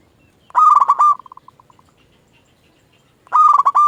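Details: Zebra dove of local stock, kept as a decoy bird to draw replies from other zebra doves, delivers a loud rippling coo ending in a fading string of quick soft notes, then a second burst begins.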